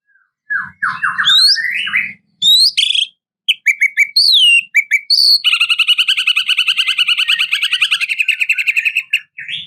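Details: White-rumped shama in full, rich song meant to provoke a rival; varied loud whistled phrases, rising and falling sweeps, then a long fast rattling trill of repeated buzzy notes.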